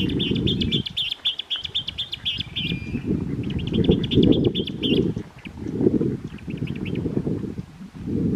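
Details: Western or Clark's grebe on San Francisco Bay gives high, grating, rapidly pulsed trills in short bursts, over heavy low rumbling wind noise.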